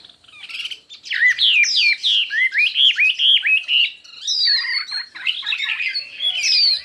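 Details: A Chinese hwamei in a singing contest, many voices and intense: a steady string of loud looping whistles repeated at an even pace, then a mixed, fast-changing passage of warbled and high slurred notes.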